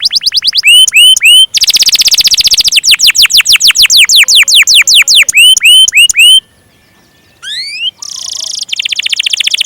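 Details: Canary singing loudly with a long roll: rapid trills of down-swept notes mixed with repeated upward whistles, a dense buzzing rolled stretch, a silent pause, then a rising slur and another fast buzzy trill.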